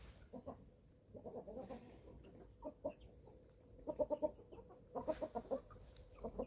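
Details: About 11-week-old free-range chickens at feeding time on a small farm in Germany give soft, low clucks and short piping notes in quick bursts, several birds calling together with brief pauses between flurries.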